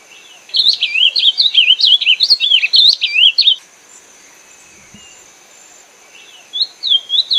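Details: Azulão or ultramarine grosbeak delivering a quick, tumbling phrase of sweet slurred whistles for about three seconds, then a pause of quiet, followed by the start of another whistled phrase; a faint high hiss persists.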